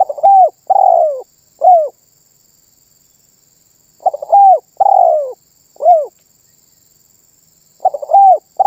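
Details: Spotted dove in lively full song, said to make other birds join in. Repeated three-part phrases: a brief stutter, a drawn-out descending rolling coo and a clipped final coo, with pauses of about two seconds. A thin constant hiss sits behind.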